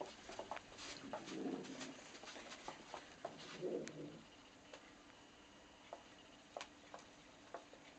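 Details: Male pet pigeon defending his nesting area while someone peeks in: two low, rolling coos at about one and a half and almost four seconds, then soft clicks and taps.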